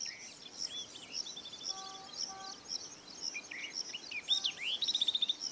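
Yellow-eyed babbler giving sweet, high chirps and whistled phrases, ending in a quick run of bright notes. Other birds chirp steadily in the background.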